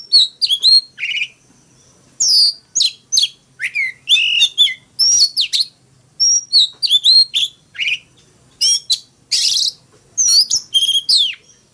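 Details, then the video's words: Oriental magpie-robin fighting song, a caged bird pouring out quick varied chirps, slurred whistles and one harsh buzzy note, in short bursts with a faint low hum beneath. "Tiếng than mồi hót đấu"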